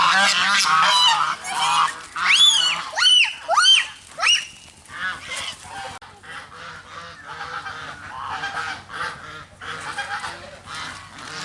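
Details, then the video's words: Goose filmed alongside a black swan, giving loud, nasal, rising honks in a fast burst over the first four seconds, then a run of softer, quicker cackling calls that continue to the end with no other clear sounds. "Funny Goose Sound"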